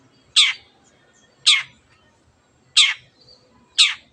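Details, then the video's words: Long-tailed shrike singing to rouse quiet birds: four loud, harsh, scratchy squawks at uneven gaps of about a second, over a low murmuring background. "CENDET GACOR MENJADIKAN YANG DIAM IKUT GACOR the sound of shrike birds"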